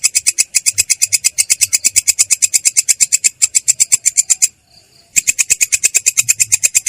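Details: Long-tailed shrike rolling with a clear, rough voice, a rapid chain of harsh buzzy notes that breaks off for under a second before restarting at the same brisk pace.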